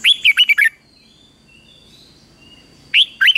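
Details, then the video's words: Red-whiskered Bulbul morning song used to train and stimulate competitive singing: bright, liquid whistled phrases in a quick burst, then a pause before another burst; faint high hum in between. "chào mào hót sáng | chào mào hót đấu"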